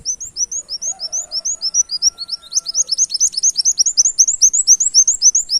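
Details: Canary-imitating song of a brown-throated sunbird, played to attract birds: a steady torrent of bright rising chips, several per second, growing denser with overlapping notes in the second half.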